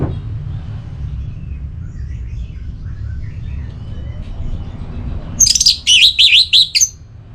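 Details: Orange-headed thrush in breeding condition calling a rival: after several seconds of low background noise and faint distant chirps, a loud burst of high zigzagging whistled notes closes the recording.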